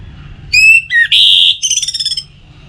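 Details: Orange-headed thrush (anis merah) song used to prompt singing: a clear whistled note, a short dip, a rich buzzy note, then a fast rattling trill that fades out.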